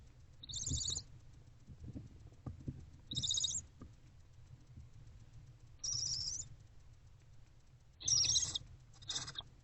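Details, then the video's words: Barn owlet in a nest box, hungry and feeding on a rodent in the early afternoon of 29 February 2024: four rasping hisses, about half a second each, spaced a few seconds apart over a steady low hum. "Hungry Barn Owlet Eating Rodent"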